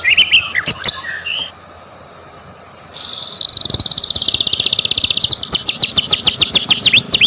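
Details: White-rumped shama song used as a lure to provoke other shamas into singing: a brief varied chirp at the start, a pause, then a fast rising run of sharp repeated notes over a low steady hum.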